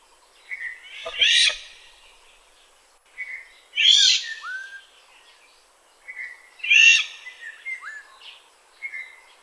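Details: Black-naped oriole (Oriolus chinensis) in Kaohsiung, 9 May 2016: harsh, nasal rasping notes about every three seconds, each joined by short clear whistles, with no other sounds standing out.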